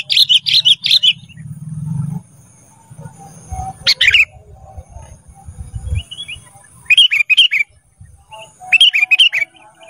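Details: Master recording of kutilang emas song for training caged birds: short bursts of bright, bubbling chirped notes in quick clusters, separated by pauses, over a low background rumble.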